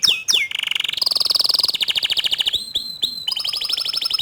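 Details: Young canaries respond to a gacor dor canary's loud song. Two quick swooping notes lead into fast rattling trills that step up and down in pitch, broken by short whistled slides.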